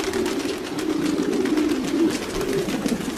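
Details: Domestic pigeons cooing, a continuous low murmuring band of overlapping coos with no clear pauses, steady in loudness throughout, with faint higher scratchy noise above.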